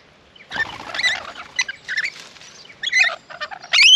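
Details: Flock of rainbow lorikeets crowding a bird bath in an Australian garden; dense overlapping high chattering and screeches, building toward a loud shrill squeal at the end.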